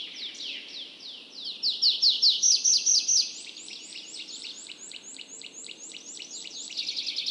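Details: Tree pipit song with varied phrases: slurred notes, a loud burst of repeated sharp strokes, then a fast trill of short upward ticks and a final rapid high series.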